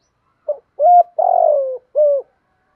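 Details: Spotted dove lure call for training fighting birds: a single phrase of a short clipped note, a level coo, a long rough descending coo and a closing coo, on a clean quiet background.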